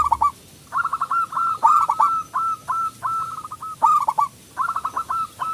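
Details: Zebra dove of local stock, singing loudly as a lure for other doves; repeated short bursts of quick cooing notes, each phrase of four to six pulses with small downward hooks.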